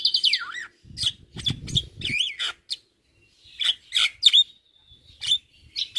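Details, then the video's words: Javan myna in lively song: a quick descending trill, then twisting whistled notes and harsh squeaky phrases separated by short pauses, with a soft low thump early on. "Masteran Juara Burung Jalak Kebo Gacor Tak Henti Henti Ngoceh Seharian"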